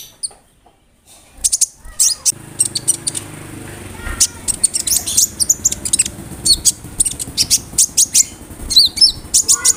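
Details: Konin bird in full song, its repertoire filled with imitations of cricket and other birds, used to tutor songbirds; after a quiet start, rapid sharp high chirps and whistled notes in dense bursts over a low background hum.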